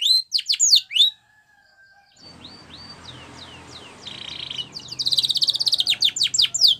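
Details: Canary training song: a bright burst of downward-sweeping whistled notes, a pause, then rapid chirps and a buzzy trill building into fast repeated rolling notes over faint background hiss.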